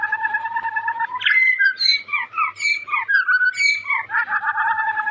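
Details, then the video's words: Caged young white-rumped shama from Indonesia in full, energetic song: low steady tones open into quick rising and falling whistled notes, then a return to sustained paired tones. "Burung Murai muda gacor calon juara"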